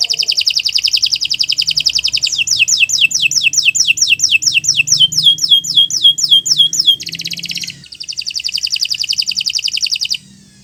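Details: Canary singing a long continuous song for training other birds: a dense high buzzy trill, then a series of rapid descending whistled sweeps, a brief harsh note, and another fast high trill.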